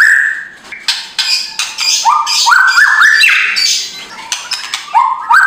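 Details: White-rumped shama (murai batu) song used in the morning to provoke a lazy bird into singing, in loud rough kretekan style: rising whistled notes stepping upward, broken by harsh rattling bursts in quick succession.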